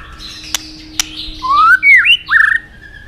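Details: Song phrase of a white-rumped shama, played to teach other shamas to sing: two sharp clicks, then clear rising and warbling whistled notes ending in a wavering sustained whistle.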